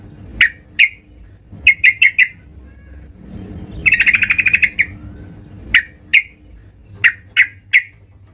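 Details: Yellow-vented bulbul at home singing vigorously: single and paired sharp chirps spaced about half a second apart, broken by a brief fast rattle in the middle, over a low hum.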